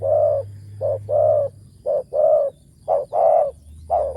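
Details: Spotted dove used for decoy luring, described as deep-voiced, giving full, low hoarse coos in rhythmic phrases of short and longer notes, about one per second, with a low steady hum beneath.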